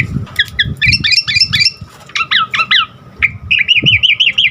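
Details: Asian pied starling (jalak suren) in full, vigorous song rich in varied phrases, used to train caged birds: clustered harsh whistled notes, then rising-falling slurred whistles, ending in a quick wavering trilled series.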